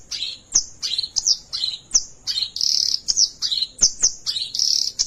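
An Oriental reed warbler sings a harsh, scratchy chatter of rapid buzzy notes and sharp clicks, repeated without pause.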